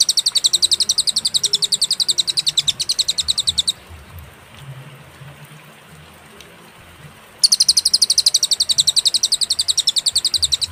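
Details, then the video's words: Cililin master-recording song for tutoring songbirds, clear and broken by pauses: a fast run of high, sharp repeated notes for nearly four seconds, then near silence, then the same rapid high trill resumes. "burung cililin suara jernih & berjeda"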